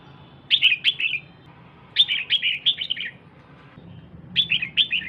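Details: Female red-whiskered bulbul urging on the male with a dense run of bouncing chirp phrases in three groups, each note quick and bright, faint low hum beneath.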